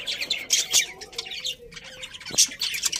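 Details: A colony of pet budgerigars chirping happily, dense overlapping high scratchy chatter and warbles with sharp bright peaks near half a second and two and a half seconds, a faint low hum underneath.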